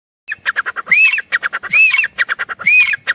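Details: Female grey francolin gives loud, harsh chattering notes broken by a shrill arched whistle, repeated roughly every second.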